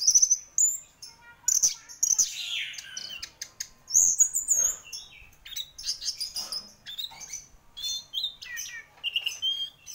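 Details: Energetic song of a champion orange-headed thrush: continuous high warbling with sharp whistles, squeaks, buzzy downward sweeps and chattering notes, barely pausing over ten seconds.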